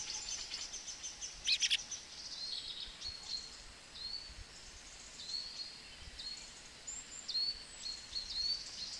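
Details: Song thrush on Monte Nevoso mobbing a Ural owl, giving brief, sharp, high alarm notes in rapid succession while attacking in flight; thin rising call notes scattered across the clip over a steady high background hiss.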